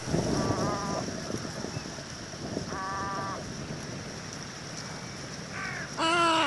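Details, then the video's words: Little egret producing several fainter, buzzy croaks spread over several seconds amid rumbling, wind-like background noise, ending with a louder harsh call. "صوت بلشون صغير غرنوق صغير Little Egret sound"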